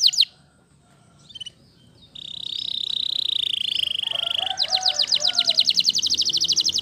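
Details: Waterslager canary song that opens with a brief note and a quiet gap, then a long even trill followed by a fast series of repeated descending notes over faint background hiss.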